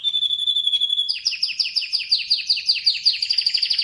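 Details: Atlantic canary singing: a steady high whistled note held for about a second, then a fast run of repeated downward-sweeping chirps at a bright high pitch, delivered in quick rhythmic succession.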